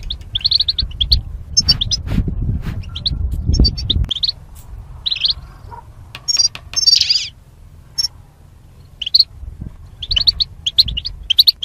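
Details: Caged goldfinches paired for mating, singing for song training: lively high twittering and chirps at first, then a quieter stretch with scattered notes before twittering resumes; low rumble early on.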